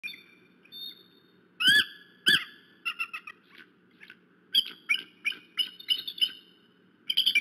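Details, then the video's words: Eagles, recorded 10-02-2018, give high, thin squealing cries, some harsh and piercing, in irregular bursts about every half second, over a steady low hum. "LES CRIS DES AIGLES"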